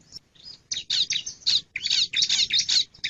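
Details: Calling male Bar-winged prinia giving rapid, scratchy high-pitched chattering bursts in quick succession, roughly three per second, with short gaps between them.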